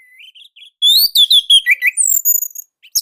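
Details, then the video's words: Orange-headed thrush from Indonesia sings a tight, loud song used as master song to draw other birds into singing. Soft rising notes open, then a rapid run of rich, slurred whistles and trills, quiet background. "KICAUMANIA Anis Merah Indonesia //Masteran Paling Enak"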